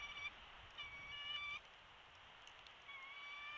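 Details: Bald eagle at a nest in Big Bear Valley, recorded by a live nest camera on 13 March 2022 around midday, days after a chick hatched; thin, level, harmonic whistled notes in drawn-out bursts, separated by quiet gaps.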